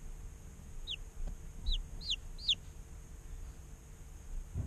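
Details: Day-old chicks in an incubator: four clear, downward-sliding peeps spread over about two seconds, each high and thin, against a quiet background of low rumble and steady machine hum.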